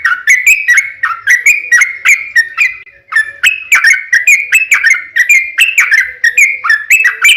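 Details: Long rapid 'ropel panjang' song of a yellow-vented bulbul used as a lure to draw replies: fast bubbly whistled chirps repeated steadily, with a brief pause near the middle before the string resumes.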